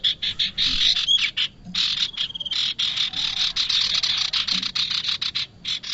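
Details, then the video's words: Bar-winged prinia calling, played to lure birds for trapping: dense, fast, scratchy chattering in long bursts broken by short pauses, with a faint high insect drone in the background. "SUARA UNTUK PIKAT BURUNG PRENJAK"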